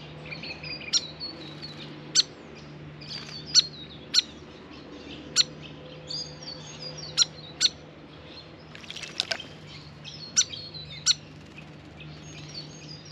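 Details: Hyperactive grey fantail at a backyard birdbath, bathing: sharp, high chip notes repeated irregularly roughly every one to two seconds, mixed with thin, high squeaky twittering phrases, and a faint steady low hum behind.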